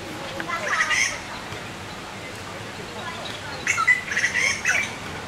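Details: Young Taiwan blue magpies begging for food in Qianshan Park, Yangmingshan, Taipei, while the parents forage to feed them. Two bursts of harsh, squawky, buzzing calls, each about a second long, are heard over quiet background.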